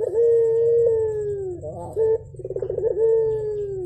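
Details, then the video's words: Morning calls of a Javan turtle dove in full voice: a long, sustained hollow note that falls slowly, a quick stuttering rolled phrase, then another drawn-out steady note, over a constant low background hum. "BURUNG PUTER GACOR , TEMAN NGOPI PAGI HARI BIKIN ADEM SUASANA"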